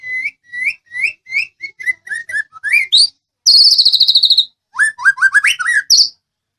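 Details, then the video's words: Medan white-rumped shama, whose song is meant to draw replies from other birds. Rising whistled notes repeat about every third of a second, followed by a rapid high trill and then a string of varied, loud, sweeping whistles. "MASTERAN SUARA BURUNG MURAI MEDAN. GACOR BURUNG BAHAN PASTI IKUT NYAUT."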